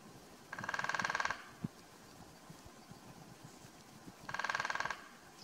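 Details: A male lesser spotted woodpecker in Karst, Slovenia, in February 2024, also seen feeding on oak galls, gives two drum rolls a few seconds apart, each under a second of rapid, even, rattling strikes, with a single knock between them.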